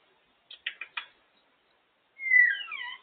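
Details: Out of its cage, a talkative female African grey parrot makes a quick run of four clicky syllables followed by a loud looping whistle that sweeps down and wavers.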